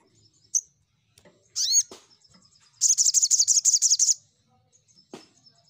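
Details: Crimson sunbird in energetic rival-calling song: one sharp chip, an arched ringing note, then a rapid buzzy trill of about a dozen pulses over a second and a half, ending with a soft chip.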